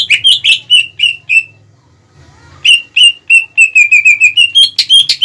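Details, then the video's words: Greater green leafbird lure song aimed at rival birds. Ringing whistled notes repeated about three per second, a short pause, then another fast, even series. Low hum underneath. "PANCINGAN CUCAK IJO GACOR CEPAT MEMANCING EMOSI LAWAN"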